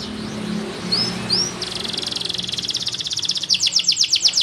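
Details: Male Abyssinian yellow canary singing: a few soft upslurred whistles, then a fast buzzy trill that gives way to slower, louder, evenly repeated descending notes.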